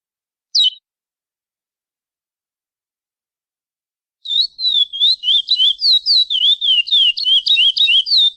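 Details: Chestnut-bellied seed finch (curió) singing the classic praia song style with pialadas: one sharp downslurred note, a pause of about three seconds, then a fast run of clear whistled notes, rising and falling, about three per second.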